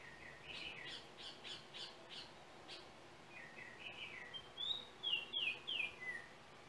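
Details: Yellow oriole song from Trinidad, captured with a cell phone: first a quick series of soft, burry notes, then rich whistles rising and falling in a sweet, descending sequence, with background hiss throughout.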